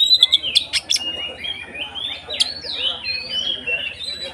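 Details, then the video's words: Kacer with short-circuit style ngeplong song, used as a lure to provoke other kacer birds into more agitated singing: varied high whistled phrases, rising and falling slides, with sharp chirps early on and a faint low background hum. "SUARA BURUNG Kacer konslet NGEPLONG untuk PANCINGAN KACER supaya lebih EMOSI"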